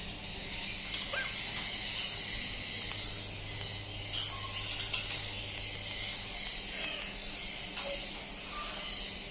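A young umbrella cockatoo makes a steady, raspy hissing sound, with a few harsher bursts. A low hum runs underneath.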